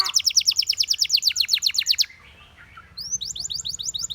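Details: Canaries singing: a fast rhythmic trill of high, downward-sweeping whistled notes breaks off after two seconds. After a brief quiet gap, a new trill of rising notes starts, with a faint low hum underneath.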